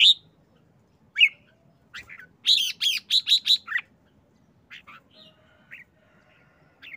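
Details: Red-whiskered bulbul showing excitement: single sharp chirps lead into a rapid series of five harsh, broadband 'rik rik rik' notes, followed by a few softer, spaced chirps.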